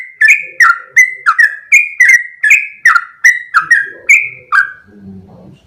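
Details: Long 'ropel' song of a sooty-headed bulbul: about a dozen bright whistled notes in rapid sequence, each bending downward, ending with soft low rustling noise.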